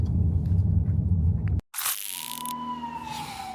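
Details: Steady low road rumble, a sudden brief silence, then a bright whoosh and a long falling siren-like tone over a low hum.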